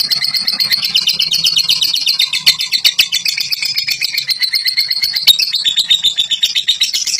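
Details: Fighter lovebirds giving the long ngekek song: a continuous fast chattering trill of harsh repeated notes, about four per second, with a few sharp clicks and knocks.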